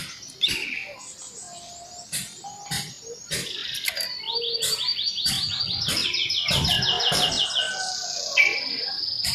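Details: Scarlet minivet in nyerecet song, full and sharp; a fast, regular chain of high trilled notes builds and continues for several seconds, with occasional clicks and brief whistles around it.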